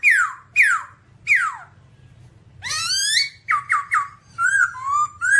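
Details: Singing babbler, described as dancing: a series of steeply falling whistled notes, then a broad harsh rising note and quick clipped falling whistles in a varied phrase.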